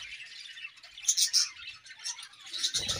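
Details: Budgerigar pair in an aviary on a morning, giving soft high twittering with a few sharp squeaky whistles. A short low rustle comes near the end.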